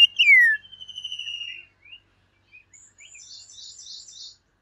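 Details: An Indian Golden Oriole (Oriolus kundoo) sings a loud, fluty whistle that slides down, then gives a faint drawn-out note and a high, scratchy twitter.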